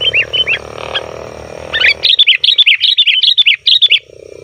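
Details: Sooty-headed bulbul giving a noisy 'ribut' call used as a lure for wild bulbuls in forest: a few clipped chirps first, then a fast, uneven run of bright, sharp chirps high in pitch, with faint background hum.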